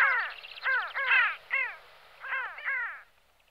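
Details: Pin-tailed sandgrouse (Pterocles alchata) giving harsh, nasal, downslurred calls, about six in quick irregular succession over three seconds; nothing else is heard.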